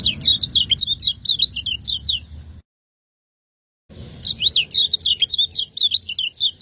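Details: Master song of a caged lemon-bellied white-eye from Lombok, ciak ngejos style: two fast phrases of high, jerky chirped notes, each more than two seconds long, broken by a short silent gap.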